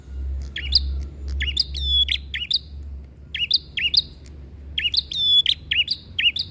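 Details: Prinia, a visiting bird outside the cage singing in fighting mode: loud, sharp double notes repeated in quick bursts, with pauses of about a second between groups, over a steady low hum.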